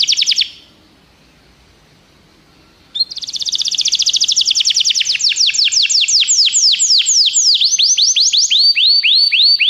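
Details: Song of a canary used to prompt a pet bird to sing: a short high burst, a silent gap, then a long rolling trill of repeated notes that loosens into slower falling slurred whistles.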